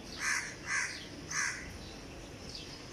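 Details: Crow calling in Dhaka, Bangladesh, at 5:36 am on 14 May 2020 during the lockdown: three harsh, hoarse caws about half a second apart over steady background hiss.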